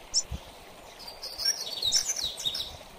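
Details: Mateiro-style song of a double-collared seedeater, used for training: a single high chip, then a quick, warbling run of thin whistled and twittered notes filling the second half, with constant hissing noise behind.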